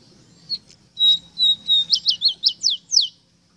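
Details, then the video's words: Ruddy-breasted seedeater training song for pet birds: a few level, pure whistles give way to a quick run of about seven sharp, upward-sweeping notes, steadily spaced, over a low background hum. "INCREIBLE CANTO PARA ENSEÑAR A CANTAR A TU ROSITA"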